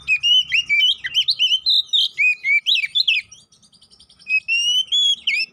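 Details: Oriental magpie-robin (kacer poci) in a lure recording meant to trigger agitation and fighting: a rapid chattering, whistled outpouring, a brief soft gap, then steady clear whistles with trills.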